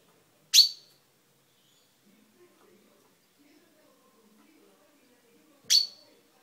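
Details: Caged pet chaffinch with a freshly purple beak, recorded indoors on 10/05/12, gives two sharp, bright single call notes about five seconds apart. Each is short and metallic, dropping quickly in loudness. Near silence fills the gap.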